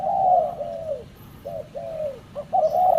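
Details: Spotted dove cooing: a mellow, low, hollow series of slurred coos, the first long and gently falling, then short notes and a drawn-out coo, over faint background noise.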